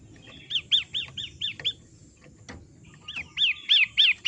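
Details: Long-tailed shrike singing in a recording made to teach caged birds: a run of crisp, arched chirps, a short pause with a click, then a second louder series of the same notes.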